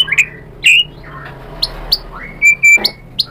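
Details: White-rumped shama giving scattered sharp high chirps and short whistled notes, with quiet gaps between them and a faint low hum behind.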